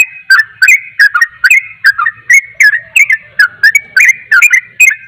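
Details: Yellow-vented bulbul delivering fast 'ropel' song that stirs up other bulbuls: a continuous run of loud, bright, doubled chirps, about three each second, slightly uneven spacing.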